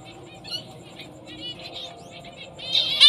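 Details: Zebra finch, a fawn female with black and orange breast: soft nasal chattering notes building to a louder burst of calls at the end.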